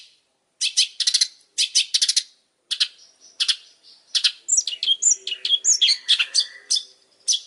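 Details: Vigorous long-tailed shrike song: clusters of harsh clicking chips, then a rapid jumble of varied whistles, slurs and squeaky notes.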